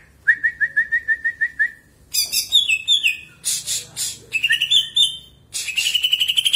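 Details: Greater green leafbird song played as a lure to get other birds singing; a steady series of about eleven rising whistled notes, then varied high warbling phrases and rapid trilled runs.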